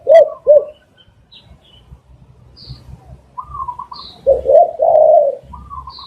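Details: Spotted dove cooing, recorded as a lure for catching doves: two deep, rounded coos, a pause with faint rustling, then a higher fluttering note leading into a longer purring coo phrase and another fluttering note.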